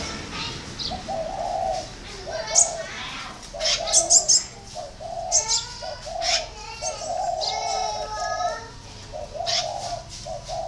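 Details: Spotted dove giving a run of low hollow coos while other small birds chirp and twitter loudly above it with bright, rising, sweeping notes.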